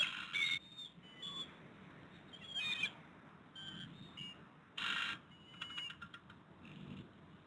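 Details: Bald eagle pair at their Pittsburgh Hays nest on a February 2022 evening, male delivering a fish to the incubating female; scattered high, thin chittering notes and short squeals at irregular intervals over a low background rumble.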